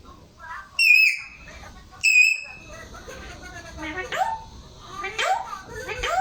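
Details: Pet parrot indoors giving two loud, shrill, harmonic squawks about a second apart, each held briefly at a steady pitch, followed by softer rising and falling chattering and people talking in Hindi.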